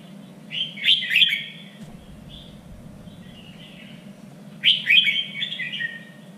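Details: Singing red-whiskered bulbul, trained for song contests, giving two emphatic warbling bursts several seconds apart, each a rapid tumble of slurred notes, with a quiet whistle between and a low hum throughout.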